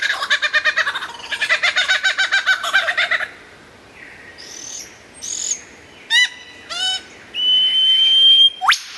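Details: Lyrebird in vigorous song, recorded clear and loud for training songbirds: about three seconds of fast rattling chatter, then scattered high notes, stacked clicks, a long steady whistle and a final sharp upsweep.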